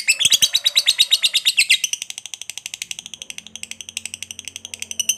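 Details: Lovebird ngekek, the long chatter used to stir rival lovebirds into calling back: rapid, harsh, high-pitched pulsed chattering, louder and busier at first, then a steadier, softer rattle of about three notes per second.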